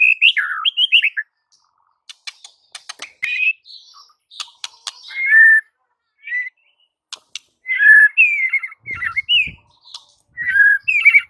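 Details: White-rumped shama master song played to silent shamas: scattered short whistled phrases and warbles separated by gaps, interspersed with sharp clicking ticks.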